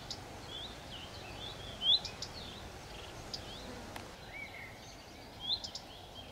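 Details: Phoenicurus phoenicurus, the common redstart, calling twice with an upslurred whistle trailed by a couple of dry tick notes, several seconds apart, over a constant hiss of ambient noise.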